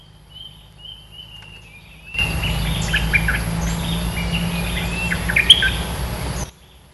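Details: Red-eyed bulbul, a territory-holding bird used as a lure song: a loud burst of bubbly, chattering notes around two to four kilohertz lasting about four seconds, with thin drawn-out whistles of other birds and steady insect hum behind.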